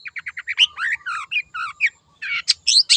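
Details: Wild long-tailed shrike singing vigorously in a lure recording: a quick series of short high chirps, then a varied jumble of slurred whistles, rising and falling notes and harsh buzzy bursts, closing with loud high squeaky notes.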